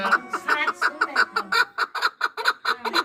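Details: Two-year-old chukar partridge from Norak, Tajikistan, kept for hunting, delivering a brisk string of loud clucking syllables about five a second, with faint voices below.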